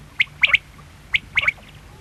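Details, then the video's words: Quail calling two crisp triplets, a short high note then a rapid double note, separated by about a second, clear over faint background hum. "Quail sound|Batair ki awaz|bedana ovozi|бөдөнө үнү|перепелиный звук|بٹیر کی آواز"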